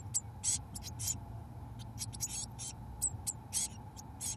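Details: Both parent Eurasian blue tits feeding mealworms to their 17-day-old young in a nest box; sharp, high, squeaky-hissing begging notes fire in short bursts, some with a thin whistled tone, above a quiet steady hum.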